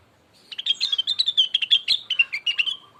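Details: Blue-winged leafbird singing, played to provoke a rival into song: a dense, rapid burst of shrill chirps and short whistles lasting over two seconds, with a faint, steady lower tone trailing at the end.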